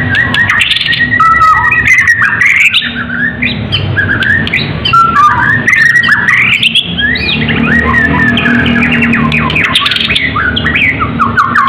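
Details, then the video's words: Contest-ready white-rumped shama of the Medan type pouring out nonstop full song: rapid, varied whistles, chips and slurred trills in dense overlapping phrases for over ten seconds, loud and energetic. "murai batu medan gacor siap ikut lomba || murai batu gacor full isian || murai batu gacor"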